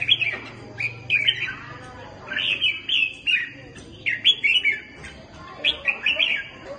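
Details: Red-whiskered bulbuls in a singing contest, trading bright, warbling phrases of quick whistled notes in bursts every second or so, with a faint low hum underneath.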